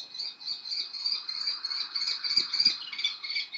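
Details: Kestrel fledglings in Théding, France, on 19 July 2023, still staying with their parents and crying to their father for food; a high, strained, quavering whine runs without pause, wavering in rapid pulses.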